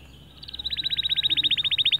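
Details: White male canary singing to stimulate other birds: after a soft start, a steady, very fast high trill of evenly spaced pulses continues for over a second with rising loudness.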